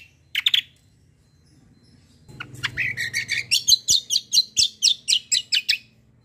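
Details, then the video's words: White-eye 'kombo' song from a fighter bird, suited for training other birds: one sharp chirp burst, a pause, then a long fast run of high, piercing chirps repeated steadily, with a faint low hum beneath. "KECIAL KOMBO CUCAK KOMBO FIGHTER GACOOR"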